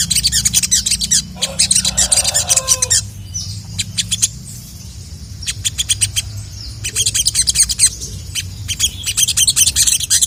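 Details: Sooty-headed bulbul calling out rival males with rapid high-pitched chirp bursts, loud clusters of sharp notes broken by short quieter gaps, low hum beneath.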